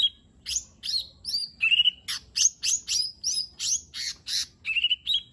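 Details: Lesser green leafbird in a steady stream of loud notes, used to get silent birds singing: regular buzzy chips with whistled tails, about two per second, with a flat trilled whistle near the end.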